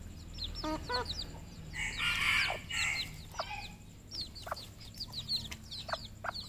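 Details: Red junglefowl on a farm in Cambodia: many thin, high peeping notes sliding downward, repeated rapidly, with a louder harsh burst of calling near the middle and a steady low hum underneath.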